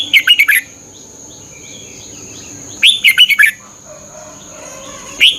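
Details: Thai Red-whiskered bulbul song played to stimulate caged birds: brisk phrases of five or six warbled, up-and-down whistles, roughly every two and a half seconds, with faint chirps and a steady high hum between them.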